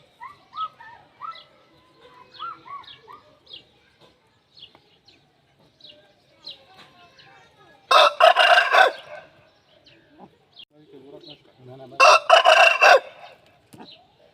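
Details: Aseel rooster crowing and singing for a hen. First comes a long stretch of quiet, short clucks and chirpy notes. Then two loud, rasping crows follow a few seconds apart, with faint low clucking between them.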